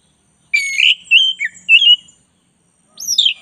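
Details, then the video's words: Oriental magpie-robin of the black-breasted type in vigorous song. A rich whistled run of slurred notes, a short silence, then a single piercing high note that sweeps down. "masteran kacer dada hitam GACOR"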